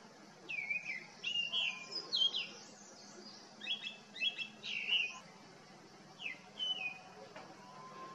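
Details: Grey-winged Blackbird singing cheerfully and tunefully among flowering foxgloves at a botanical collection in Jabbarkhet, Himalaya; rich whistled phrases with slurred falling and rising notes, given in bursts separated by short pauses, over faint steady background hiss.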